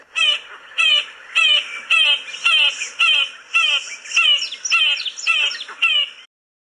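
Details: Southern African Acacia Pied Barbet giving about ten nasal, harmonic notes, each slightly downward-bent, roughly every half second, with a second caller overlapping toward the end.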